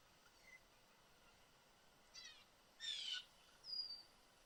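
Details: A family of blue jays sits in a tree in a yard in Southern Ontario, Canada. A quiet rasp comes first, then one loud harsh buzzy jay call lasting about half a second, followed by a thinner whistled note, over faint hiss.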